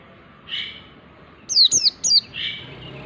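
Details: Mountain white-eye song meant for training other birds: three sharp, high downslurred whistles in a tight group, framed by softer, rougher squawky notes before and after.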